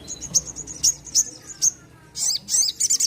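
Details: Sogon, a bird that sings freely. Very high, thin chips come one by one. They end in short, buzzy, high-pitched trills.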